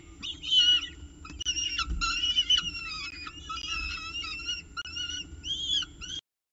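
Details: Recorded 19 October 2018 at the CSU Orange nest, a peregrine falcon carrying breakfast makes repeated wavering, squealing calls in uneven bursts, ending abruptly in silence.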